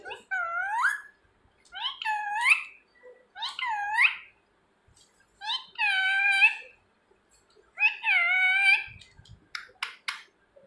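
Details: Household talking parrot calling its owner's name and asking where they are; five separate, nasal, speech-like phrases roughly every two seconds, followed by a few clicks.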